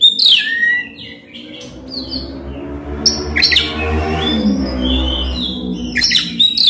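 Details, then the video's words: Oriental magpie-robin in full song with coarse mimicked fill, used as a lure to provoke a silent magpie-robin to sing out. Loud rapid whistled and scratchy bursts at the start, middle and end over a steady low droning hum. "Kacer gacor bongkar isian kasar PANCINGAN KACER AGAR NGEPLONG"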